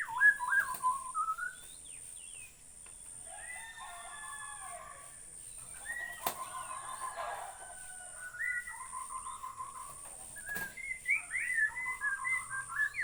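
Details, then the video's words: White-rumped shama from Borneo singing a long sequence of varied phrases: rapid rolling warbles, buzzy trills and bright rising whistles, separated by short pauses, with a couple of sharp clicks. "Burung murai Borneo"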